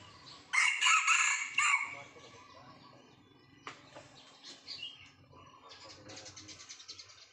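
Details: Young Sumatran red junglefowl, recorded during traditional decoy trapping: one loud, harsh, hoarse crow lasting about a second, followed by quieter scattered chirps and rustling.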